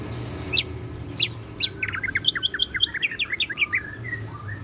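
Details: Greater green leafbird, a kept bird, singing in full voice with a varied song filled with mimicked phrases: rapid chirps and short whistled notes, then a run of quick downslurred notes repeated in series, over a low indoor hum.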